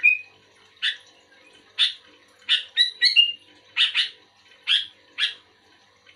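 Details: Sooty-headed bulbul, a lively singing (gacor) bird actively responding to another bulbul, gives loud, harsh, broadband chirps about once a second, with a clear whistled note at the start and a short slurred whistle near the middle.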